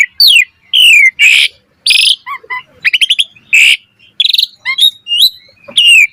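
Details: Asian pied starling singing its full, lively repertoire as training material for other starlings: varied loud phrases of downslurred whistles, grating chatters and quick trilled note clusters, delivered in steady bursts with short pauses.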